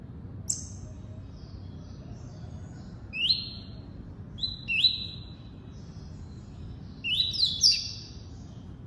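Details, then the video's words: A double-collared seedeater sings tuí-tuí phrases. Single and paired upward-swooping notes trail into flat buzzy tones, building to a denser triple burst near the end. Faint quieter notes and a low hum are in the background. "COLEIRO FLASH ENCARTE (TUÍ-TUÍ)"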